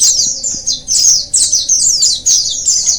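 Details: Oriental white-eye colony song, played to stimulate lazy birds to sing; a dense chorus of high, thin notes sliding downward in rapid overlapping phrases, several birds singing at once.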